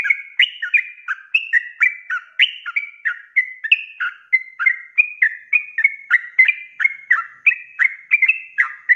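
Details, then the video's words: Continuous ropelan song of a sooty-headed bulbul, intended as master song for kept birds: fast chain of short liquid whistles alternating rising and falling slurs, roughly three notes per second, steady and unbroken throughout. "SUARA ROPELAN BURUNG TRUCUK GACOR"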